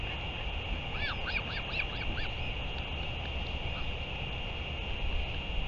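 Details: Northern royal albatross on 31 May 2023, return and feeding: a soft series of six or seven rapid arched notes in about a second, fading into steady hiss and low rumble.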